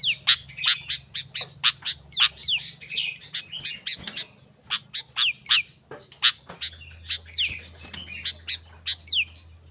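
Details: Sooty-headed bulbul song for calling wild birds: scratchy chattered notes interleaved with several quick downward whistles, a short lull midway, then the chatter resumes; a low steady hum is heard in the background.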